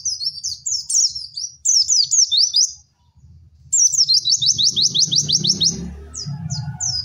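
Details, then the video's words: 'Cek cek werr' white-eye song for masteran: twittering high phrases, a pause, then a long, fast, evenly paced trill of sharp chirps; a low rumbling hum grows beneath the later part. "MASTERAN PLECI TERBARU PALING AMPUH CEK CEK WERR"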